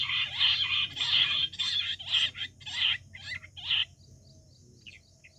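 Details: Wild quail, July 2024 hunting recording: a run of loud, harsh, grating notes at an uneven pace for about four seconds, then quiet with a couple of faint notes, over a low hum.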